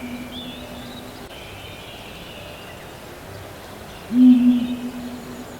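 Flores Scops Owl giving low, flat, steady hoots: a faint one at the start, then a louder one lasting about a second near the end, over a soft background hiss.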